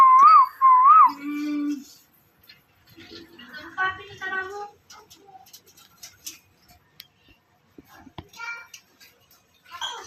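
A ringneck parrot gives two wavering, rising-and-falling whistles, then a low hum and several short, chattering, speech-like phrases in a quiet room.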